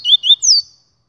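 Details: Papa-capim 'Gladiador' (double-collared seedeater) giving two short upslurred whistles followed by one longer, high, descending whistle, sung loud and clean.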